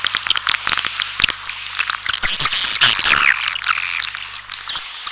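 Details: Red-nest swiftlet (walet sarang merah) lure recording: dense, continuous high twittering with scattered clicks over a steady thin high tone, loudest in the middle.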